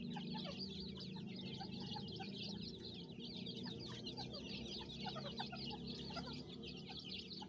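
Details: Farm-kept Irani or dakhni francolin (teetar) chicks, with the mother calling them, give a constant stream of thin, high peeping chirps and a few lower soft clucks over a steady low hum.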